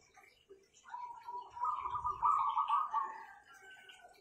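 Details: Owned zebra doves with powerful voices give a soft opening note, then a loud rolling trill that swells and fades over about two seconds. A low rumbling thud and faint ticking are heard during the call.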